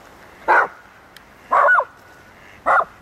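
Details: Canvasback at Sechelt Marsh, Sechelt, British Columbia, in March 2011: three loud, harsh, nasal calls about a second apart, each brief and broad, against quiet marsh background.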